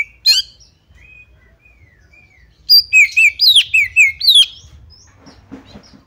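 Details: Female Oriental magpie-robin, whose call is used to draw other magpie-robins into full song; one sharp burst, soft faint whistles, then a rapid run of seven loud slurred notes alternating high downward sweeps and lower level notes.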